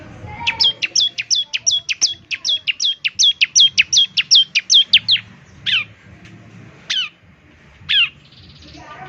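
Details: 'Semi' ciblek, Bar-winged Prinia, singing hard ('gacor') for morning playback: some twenty crisp high downslurred notes in a steady five-second burst, then three single spaced notes falling in pitch, against a quiet background.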